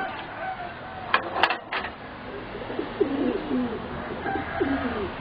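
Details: Young singing zebra doves, four birds about 3.5 to 4 months old, from a line bred for competition song; soft rolling trilled coos in the second half, following sharp clicks and knocks early on.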